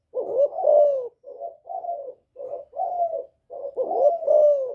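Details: Spotted dove calling to provoke rival males, in the Vietnamese "giọng thổ" style: a low, mellow cooing phrase of repeated hollow coos with gently falling notes, separated by short pauses.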